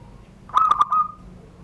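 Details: Privately kept Banten zebra dove cooing in the classic SURUNG GDOR song style. Three fast, knocking notes lead into a clear, drawn-out mellow tone that trails off.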